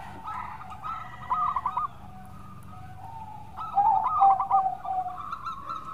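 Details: Local zebra dove singing a melodious lure song: soft rolling coo bursts, then a long low drawn note. A louder, trilled phrase of overlapping coos follows, with a faint background hum.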